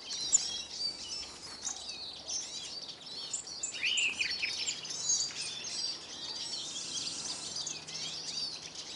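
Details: A flock of hungry Eurasian siskins feeding at a garden bird table in Kolmården, Sweden, with the camera on the ground below: dense, overlapping high twittering and chirps, with a short whistled note near the middle.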